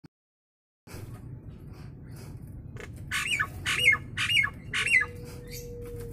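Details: Nias hill myna recorded as a tutor sound for other mynas: after a second of low background hum, a run of five loud, harsh, broadband squawks with a falling whistled tail, roughly one every half second, plus a steady faint tone.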